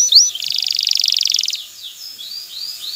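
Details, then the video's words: Male canary song meant to ready a female for mating and nest building: a sharp whistled upslur, then a fast buzzy trill lasting about a second, followed by soft rising whistles. "اقوى تغريد ذكر الكناري لتجهيز انثى الكناري للتزاوج و تحفّزها على بناء العش"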